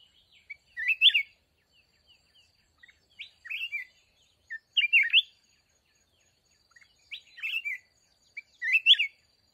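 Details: Mountain red-whiskered bulbul, caught up in trap-fighting with a caged decoy: four crisp, chirpy warbled phrases, each about half a second long, repeated roughly every two to three seconds, with near-silent gaps between.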